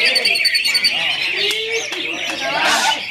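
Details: Greater green leafbird singing steadily: a continuous, rapid, high warbling chatter with short repeated whistled notes, over human voices in the background.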